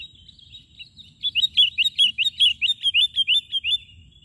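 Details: Sooty-headed bulbul in strong song, perched low on the ground rather than up on a twig, delivering a rapid run of about fifteen identical clipped whistled notes, roughly two per second, in a steady chattering series.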